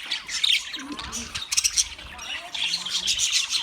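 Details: Flock of wild budgerigars giving busy, overlapping chatter: rapid high chirps, squeaks and short harsh notes, loudest in bursts near the middle and toward the end.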